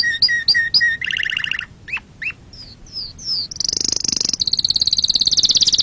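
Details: Canary singing, used to teach young birds and stimulate mating: short whistled notes, a rapid buzzy trill, downward swoops, then a loud sustained high rattle of very fast repeated notes.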